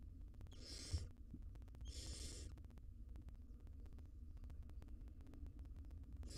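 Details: Barn owl mother feeding her nestlings in a wild nest box; two breathy screeching hisses close together, then quiet hum, and another hiss starting at the end.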